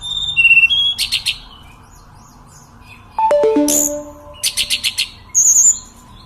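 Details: Sunda robin (sulingan gunung) singing steadily: short whistles and buzzy trills with a fast stuttering series of high notes, while a descending run of lower, pure, ringing tones plays in the background.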